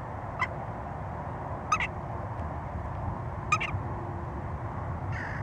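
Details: Western jackdaw calling: short, sharp clipped notes, one of them doubled, spaced about a second or two apart over steady low background rumble, with a fainter call at the end.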